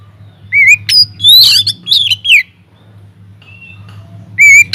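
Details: Oriental magpie-robin in full voice within an aviary, a recording meant to lure other birds into song; a clear, wavering whistle, then a cluster of harsh, scratchy, sweeping notes, a soft pause, and another bright, quavering whistle.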